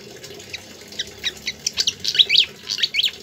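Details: Energetic pied fantail song meant as a model for training songbirds, starting with sparse thin chirps then building into denser clusters of sharp high squeaks and slurred notes toward the end, over a soft background hiss.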